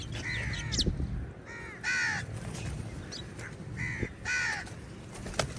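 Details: Many crows squabble with eagles over a meal. Rasping, nasal caws come in quick overlapping bursts from several birds, about six calls in under six seconds, over a low outdoor rumble.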